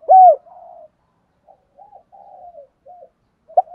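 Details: Spotted dove used as a decoy to train other doves to coo: one loud, low arched coo opens, followed by faint, drawn-out murmuring notes and a brief closing note.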